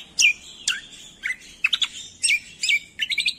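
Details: Training song of a cucak kombo meant to provoke quiet cage birds to reply, made of loud, sharply descending whistled notes in quick separate bursts, each followed by a short chattering flourish.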